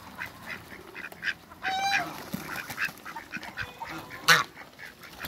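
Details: A pair of Muscovy ducks playing in water in a backyard; one short, nasal, harmonic call near two seconds and another brief call later, over steady splashing and dabbling noises.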